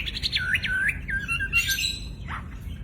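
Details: Loud wambi, a mimicking songbird, singing as a tutor for fighting birds: a rapid run of clear, looping whistled notes that rise and fall, followed by a brief buzzy phrase and a downward slur.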